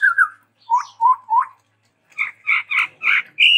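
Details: Varied song of a Chestnut-rumped babbler, reported as endemic to Sumatra: paired whistles, three lower rising-falling notes, a short pause, then a series of loud, harsh, chattering notes.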